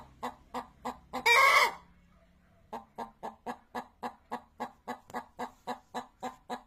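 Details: Chicken clucking in quick, regular pulses, interrupted early by a loud, rasping squawk lasting under half a second. After a second of quiet, a long even series of short clucks follows, roughly three to four per second.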